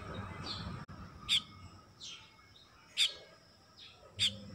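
Baya weaver giving three sharp, high chipping notes about every one and a half seconds, each paired with a softer, buzzy downslurred note, over faint background hiss.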